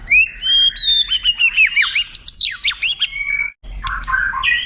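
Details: White-rumped shama song recorded as a tutor, with long highlight phrases for contest birds to imitate: a long rising whistle, then a cascade of steep swooping notes, a short pause and a scratchy closing phrase.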